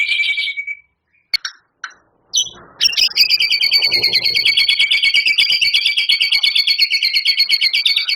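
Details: Champion White-rumped shama, its song rich in imitations of canary, cililin and lovebird. A short buzzy burst and a few sharp chips come first, then a long, relentless, fast rattling trill fills the rest.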